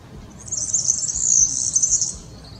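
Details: A yellow, streaked European serin delivers a brisk, buzzy, very high metallic trill of tightly packed notes lasting roughly a second and a half, loud and clear against a quiet background.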